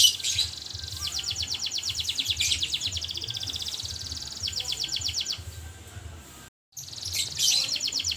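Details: Canary singing in full, lively voice: high rapid trills of evenly repeated notes, several bursts running a second or more, broken by brief pauses, with low background rumble.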